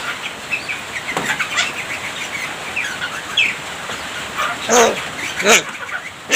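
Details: Javan myna singing with mimicked human sounds and coughs; soft scattered chips at first, then louder nasal harmonic calls and harsh grating bursts near the end, with a steady background hiss.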